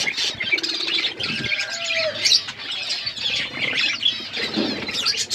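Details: Budgerigars chirping in an outdoor aviary, named as wild budgies: a thick wash of high twittering and buzzy chirps, with a brief steady mid-pitched tone and low knocks of movement in the background.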